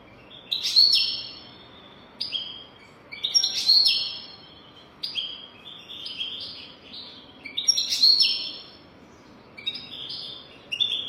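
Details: European goldfinch golden-throat style song for teaching goldfinches: high twittering bursts with buzzy trills, repeated about every two to three seconds in a steady rhythm, with brief gaps between phrases.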